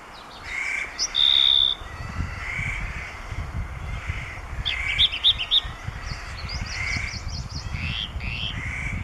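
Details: Firethroat (Calliope pectardens) singing at Erlangshan, Sichuan, 25 May 2015: a varied run of high, sweet notes, a pure sustained whistle and quick clusters of bright repeated notes over a low rumble of wind or water.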